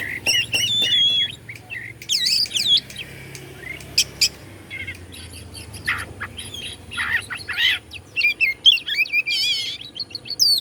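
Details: White-rumped shama (kacer) singing to provoke rival shamas: a long varied run of sharp clicks, looping whistles, buzzy bursts and trilled phrases, high-pitched and energetic, with brief quiet spells between.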